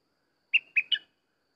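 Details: Sooty-headed bulbul singing, played as a lure for catching birds: a brief phrase of three clear whistled notes, the first two level and the last split into a higher and a lower tone, in a quiet background.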